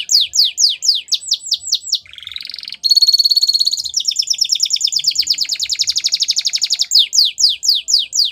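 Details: Canary singing for training young birds: runs of rapid descending whistled notes, a brief nasal buzz, then a long fast rattling trill, closing with more falling sweeps.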